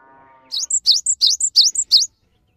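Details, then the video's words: A vigorously singing cinereous tit, a master recording meant to prompt silent or new birds to sing, gives five quick, high, ringing two-note phrases in about a second and a half, after a brief faint low hum. "MASTERAN GELATIK BATU GACOR"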